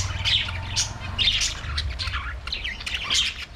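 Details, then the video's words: Aviary budgerigars singing and playing: soft warbling chatter and squawks over a steady low rumble. "Budgies singing and playing in their Aviary"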